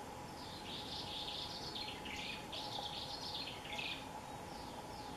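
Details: Swallow singing at dawn on a cloudy morning in the countryside: bursts of bright, warbling twittering phrases in quick succession, with a steady low hum and insect-like background buzz throughout.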